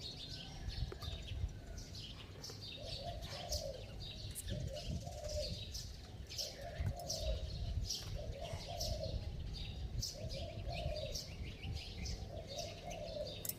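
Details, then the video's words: Spotted dove with a bell-like voice and rapid cooing, used to lure wild doves: a steady series of short low coos about once a second, over chirping birds and loud rustling noise. "Tiếng Chim Cu Gáy Giọng Chuông, Kèm Thúc Gù Tốc Độ II Kích Bổi Lâu Nổi"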